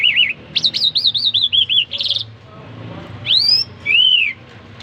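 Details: Singing jal, an Iranian type known as jal mashhadi: a wavering, warbled whistle phrase drops in pitch, then a brief buzzy burst and two long, clear arched whistles.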